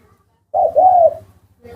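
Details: Spotted dove, described as small-voiced, in a household bird collection; a single mellow, slightly arching coo about a half-second long, with faint low background hum and quiet near silence around it.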